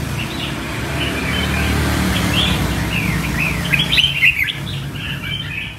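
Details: Red-whiskered bulbul kept as an ornamental bird, singing in a showy performance style: quick bursts of bright, slurred chirps and short whistled notes, warbling in an uneven run, over a steady low rumble of background noise.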